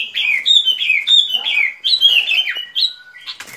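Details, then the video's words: Sooty-headed bulbul song played as a trapping lure: a rapid run of bright, slurred whistled notes, each dipping then rising, given in quick succession without pause, closing with a few sharper chirps. "Tiếng Chim Bông Lâu Mồi Chuẩn Mp3 || Âm Thanh Đi Bẫy."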